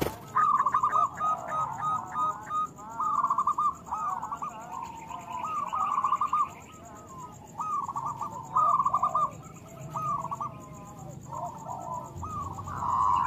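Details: Local zebra dove song used as therapy to make doves sing sooner: repeated short bursts of rapid, tremulous coos, nearly a dozen phrases, some overlapping, with a faint steady high tone behind.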